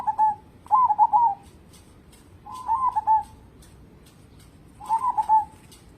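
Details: Local zebra dove singing vigorously, suited as a lure for other birds: four rolling, stuttering coo phrases, each a quick run of short soft notes with a smooth fading end, repeated every one to two seconds.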